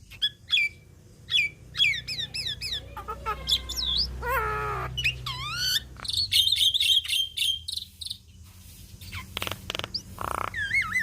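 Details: Javan myna singing vigorously, meant as a tutor for songbirds: scattered sharp whistles and chirps, a grating nasal burst, then a long varied medley of slurred whistles, chatters and rough notes.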